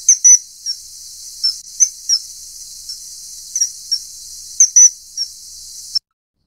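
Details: Common kingfisher (Alcedo atthis) giving short, sharp, piercing high calls in scattered bursts, some doubled or in quick pairs, separated by brief quiet gaps.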